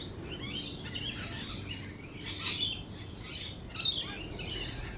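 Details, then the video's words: Lorikeets in a thunderstorm with lightning utter short, sharp, high squawks in quick uneven bursts over a faint low background rumble. "Lorikeet Cafe, rolling thunder and lightning."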